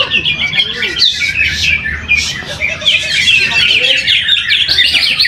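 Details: Greater green leafbird, a caged competition bird, singing at a weekly practice contest in Trowulan, Mojokerto, where it took first place; a dense run of bright chattering and whistled phrases with crowd noise and voices behind.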